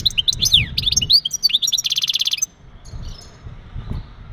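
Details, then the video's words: A male European goldfinch's breeding calls, meant to get the female ready: rapid liquid twitters and looping slurs flow into an even, buzzy rattle of about a dozen fast repeated notes, then the song stops abruptly. "بتبتات ونداءات التزاوج عند ذكر الحسون فعالة في تجهيز أنثى الحسون"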